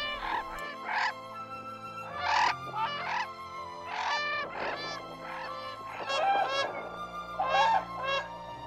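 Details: Brolga in Australia giving loud, harsh trumpeting notes, about seven rough bursts at uneven intervals, over soft background music; brolgas call at take-off, landing, in flight and territorially, more so when breeding.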